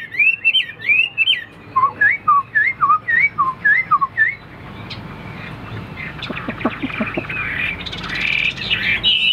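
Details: Caged Hwamei, a fighting-display bird, repeats a two-part whistled phrase, a drop then a rise, about twice a second. Noisy rustling and a blurred burst of sound follow.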